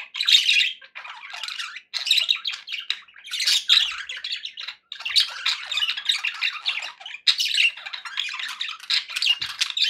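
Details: Budgerigars, kept as pets and said to be happy, chatter in loud bursts of scratchy warbling and sharp chirps, with short quiet breaks roughly every two seconds.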